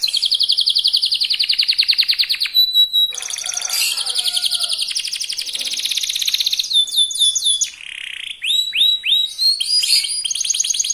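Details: Young canary delivering a very fast song meant to provoke other birds to sing: long rapid trills, a brief pause, rattling buzzy passages, then repeated downward-sweeping whistles in clear, loud phrases.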